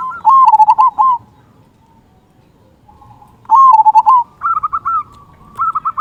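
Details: Local zebra dove with a big "kung" voice, singing often, used as a lure to prompt other doves to sing: two loud bursts of rapid, bubbling coo notes, followed by quieter, slightly higher cooing phrases and a pause between.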